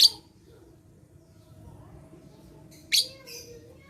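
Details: Lovebird recording from 11/4/21, meant to draw song from lazy lovebirds: a sharp shriek at the start, quiet for several seconds, then another shrill burst followed by faint raspy chatter.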